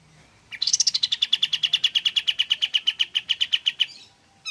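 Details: Pied fantail singing actively, recorded to provoke other pied fantails to sing: a rapid, even string of over twenty bright, clipped chirps lasting about three and a half seconds, starting slightly higher and settling onto one steady pitch.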